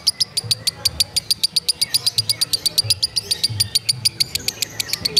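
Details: Lovebird in ngekek konslet style, chattering without pause: rapid, shrill, clipped notes repeated about seven times a second for the whole stretch, evenly paced, with a soft low rumble underneath.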